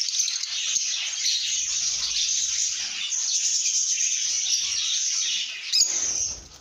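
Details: Several lovebirds singing and chirping in good mood, an unbroken flood of high, buzzy twittering that fades at the end after a sudden sharp note.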